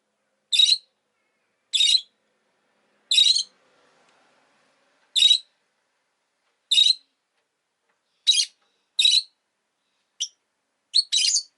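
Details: Rosy-faced lovebirds, a pair sitting together at an entrance, repeat short harsh screechy chirps about every one to one and a half seconds, quickening into doubled notes at the end.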